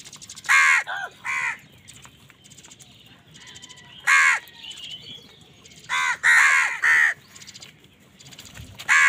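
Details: Angry crows scrapping with wild birds for food: coarse, nasal caws in clusters of two and three with pauses of a second or more, light chirping between calls.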